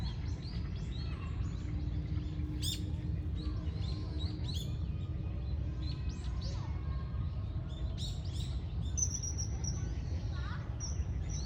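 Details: Common kingfisher, filmed 10 November 2024, gives a drawn-out piercing high whistle toward the end, with other small birds chirping and a constant low rumble underneath.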